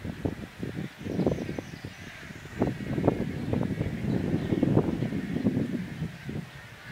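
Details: Wood storks at their nesting colony at Harris Neck, Georgia, in May 2017 fill the air with a dense din of harsh, low, nasal croaks and rattling bursts, many overlapping, over a steady background hiss.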